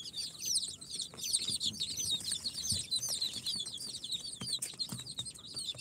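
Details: Freshly hatched chicks on day four out of the incubator, Sultan, Golden Sebright, Cochin and booted breeds, filling the recording with dense, shrill peeping, overlapping rising-falling chirps, and scattered clicks and scratching.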